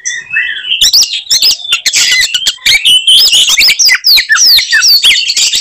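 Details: Oriental magpie-robin in fighting mode, singing to provoke other magpie-robins: soft opening whistles, then a long, loud, rapid outpouring of varied whistled sweeps and scratchy buzzes.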